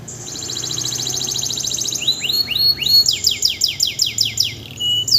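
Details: Canary kept as a tutor bird, singing strongly just after its moult without any conditioning: a long fast buzzy trill, then a run of loud repeated downward-sweeping whistled notes, about eight in quick succession.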